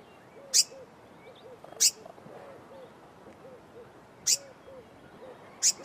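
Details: Blue-mantled crested flycatcher giving single thin, high, clipped notes at irregular intervals, with faint lower piping calls from another bird behind.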